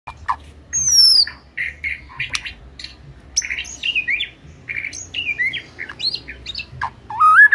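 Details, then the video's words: White-rumped shama (murai batu) singing in full gacor style: a varied run of clear whistles, rising and falling slurs and short chips, with bright high sweeps and a loud closing upslurred whistle. "Murai Batu Jadi Ikut Gacor"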